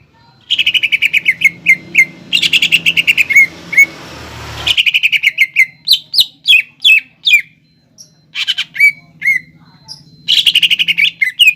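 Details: Greater green leafbird in the 'nembak ngekek' song style, used to provoke and lure young birds into imitating; loud bursts of rapid high chirps alternate with separate sharp downslurred whistles, with a brief noisy hiss midway.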